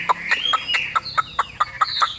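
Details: Yellow-billed caged Chinese hwamei for sale, giving a string of sharp clicking notes about five per second beneath a thin, sustained whistle that wavers slightly.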